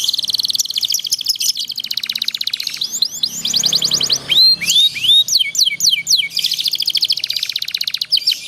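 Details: Canary singing as a tutor for young canaries learning to sing: rapid rolling trills, a run of rising whistled upslurs and sharp chips, then the trills return at high pitch.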